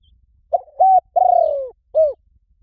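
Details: A full spotted dove phrase for luring wild doves: a brief coo, a flat sustained note, a long slurred croon sliding downward, then a final short coo. Nearly clean background.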